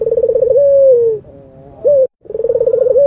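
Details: An albino Barbary dove's pulsing rolled coo runs into a long, smooth, gently falling note, followed by a short rising coo and a new trembling roll.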